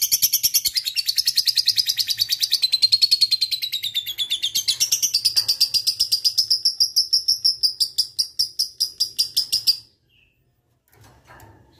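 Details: Lovebird ngekek panjang aimed at lazy singers: a long fast trill of sharp high pulses, gently falling and rising, slowing before stopping, followed by quiet with faint rustles.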